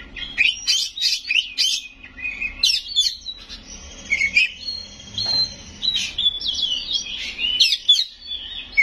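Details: Kacer, the Oriental magpie-robin, singing 'full isian nembak' style: bursts of sharp chirps and slurred whistles broken by a drawn-out high whistle, in continuous varied phrasing.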